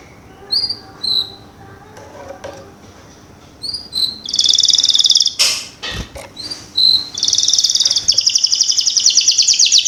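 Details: Canary song meant to coax young canaries into singing: scattered short chirps at first, then loud buzzy trills alternating with brief pauses and a sharp noise burst, ending in a long rapid rattling trill.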